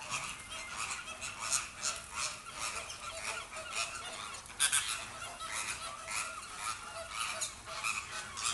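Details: Captive Inca terns at feeding time in Vogelpark Avifauna, a bird park in the Netherlands; a dense chorus of harsh, nasal, honking calls overlaps continuously, with several louder bursts standing out.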